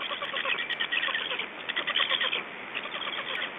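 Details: Black stork nestlings, unattended at an Estonian nest on 3 June 2012 at 19:18, produce hoarse, stuttering raspy calls in rapid pulses, louder in the middle, over faint background hiss.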